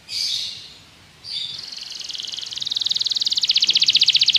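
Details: Belgian canary singing to draw other canaries into song, as a training aid: an opening buzzy, high burst, then a long, rapid trill of evenly repeated notes that swells louder toward the end.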